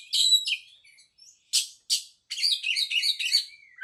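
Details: Oriental magpie-robin delivering a high whistle, then two isolated harsh rasping notes, followed by a fast, tumbling sequence of chirps and trills that ends in a falling slur.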